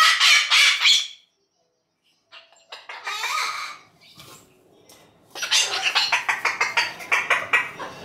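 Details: Umbrella cockatoo kept indoors, raising a fuss because it wants attention and play: loud raspy screeches, a pause, then a rapid series of harsh pulsing squawks repeated about three times a second.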